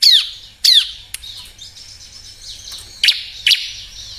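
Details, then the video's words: Bar-winged prinia, heard as a lure to get lazy birds singing: two loud, high, downward-sweeping whistles, a stretch of soft twittering, then two sharp clipped chirps. "Suara burung Ciblek Cocok Buat Pancingan yang males bunyi/Ciblek Bahan"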